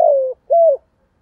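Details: {'caption': 'Decoy spotted dove calling: a buzzy note that falls slightly, a brief gap, then a higher arched coo, in a quiet setting.'}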